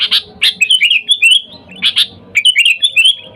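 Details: Sooty-headed bulbul calling to wild companions, a sound used to lure bulbuls: two harsh broadband chip notes, then a bubbly, warbled run of quick rising and falling notes, the pattern repeated once more.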